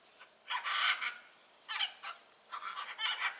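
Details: Free-living blue-and-yellow macaw uttering loud, harsh, drawn-out squawks, three main raucous cries in quick succession.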